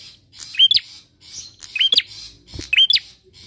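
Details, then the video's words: Bar-winged prinia song used as a lure to make other birds sing, made of three loud, sharply rising and bending chirps each about a second apart over a light hiss. "PANCINGAN PRENJAK KLAWU GACOR!"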